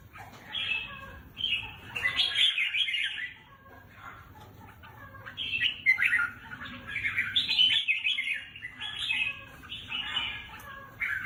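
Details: Competition-kept red-whiskered bulbul sings in a cage: repeated bursts of rich warbling phrases, each a second or two long, separated by quieter gaps, with faint rustling.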